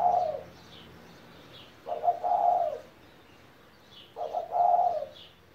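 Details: Low, soft coos from a 17-year-old spotted dove kept as a pet come in three bursts about two seconds apart. Each has a stuttering lead-in followed by a drawn-out hum. Faint higher twitters sit in the background.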